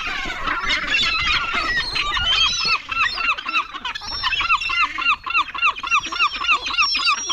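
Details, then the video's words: Gulls in a cemetery: a busy jumble of squealing cries at first, then one bird's quick series of short, arched, laughing notes, repeated about three or four times a second over steady background calling. "Cemetery gulls"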